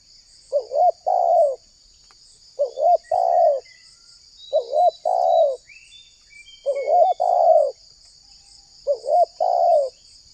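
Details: Spotted dove, Indonesia, used to entice wild doves to answer: five paired coos, a short warbled note then a sustained one, at about two-second intervals, while small birds twitter faintly in the background and a high steady hum continues.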